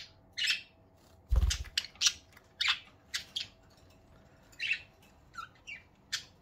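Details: Tame pet budgerigars giving happy morning sounds: quick, sharp, high chirps scattered irregularly, a few in close pairs, with a thump and quiet indoor background.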